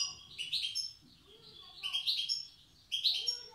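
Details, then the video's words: Wild European goldfinch of Tiaret in the old song style: three short bursts of bright twittering notes with faint low background rumble between them. "تغريد حسون تيارت( أداء الحسون البري اللغة القديمة)"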